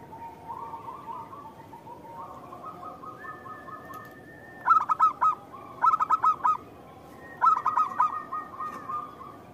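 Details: Local zebra dove in lively song for luring other doves: gentle purring trills at shifting pitches, then three short bursts of loud staccato coos, each about four notes.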